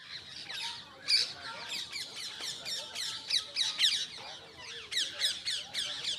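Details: Parrots chattering in a dense, overlapping stream of high, scratchy chirps and squawks, with louder bursts near the start, middle and end.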